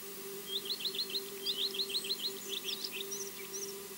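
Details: An osprey at Loch Garten, Scotland, heard but not seen on a nest camera, gives quick series of thin, high, whistled chirps, several notes per burst, over a steady low electrical hum.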